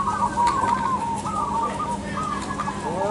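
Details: Several crossbred zebra doves at a contest give rolling, trilled coos that overlap and fade, with brief clicks, a steady low hum and a final drawn-out falling note.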